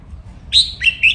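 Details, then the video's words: Caged red-whiskered bulbul giving a training song in the riffing style: a loud, clear whistled note, then two quick chirpy notes, crisp and high against near silence. "นกกรงหัวจุก ร้องเล่นริก"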